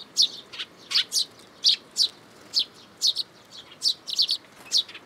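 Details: June 2022 at a Tenmangu shrine, a young sparrow in a plum tree begs for food with loud, high, clipped chirps, about a dozen in five seconds, some doubled, against a low background hiss.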